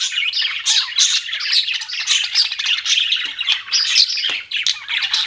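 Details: Budgies keep up a busy stream of chirps: rapid high squeaks, twittering warbles and scratchy notes run together without break, with a brief downward squeak near the end.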